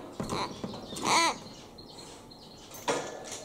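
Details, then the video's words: Young common hill myna, three months old and not yet talking, sex unknown, gives one strong raspy call with rich harmonics, preceded and followed by softer sounds in a quiet room. "九官鳥の鳴き声｜お喋りできない生後3か月の赤ちゃんです Crying Myna bird"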